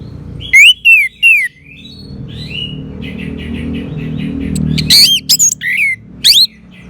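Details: Orange-headed thrush song used as therapy to get a silent bird singing loudly: loud bursts of clear whistles sliding down, with sharp high notes, in two groups separated by a low steady hum and faint distant chirps.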